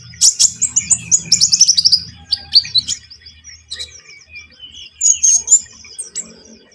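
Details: Javan munia song used as a lure for bird trapping: a quick run of high, thin, twittering chirps and descending squeaky notes, then scattered softer chips and a short final burst.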